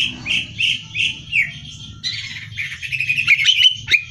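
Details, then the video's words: Greater green leafbird song for competition training: a few rising whistled notes, then a fast, busy stream of chattering, trilled phrases, with a low rumble beneath. "Cucak Hijau Gacor Hiper Ampuh Buat Bahan Lomba"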